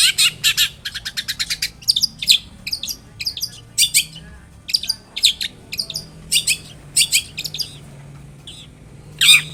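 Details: Long-tailed shrike singing, played to prompt other shrikes to answer: quick chattering runs and separate harsh, buzzy bursts spaced a second or so apart, with squeaky twitters between.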